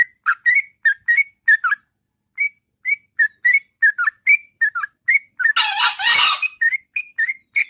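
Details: Long melodious ngropel song from a sooty-headed bulbul in the morning: bright whistled notes in a flowing series with a short pause, then a loud broad rushing burst near the end as the singing continues.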